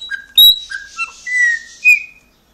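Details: Caged pet chopi blackbird (graúna) in Brazil, singing while recognizing its owner: a short run of clear whistled notes, some sliding and falling, with a sharp high note between them and a final bright whistle.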